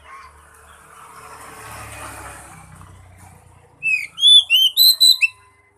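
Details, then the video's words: Oriental magpie-robin song meant to coax a mute bird into singing: after several seconds of a low rumbling background, a short burst of bright, ringing whistles with quick upward slurs ends the recording. "pancingan buat burung kacer bisu"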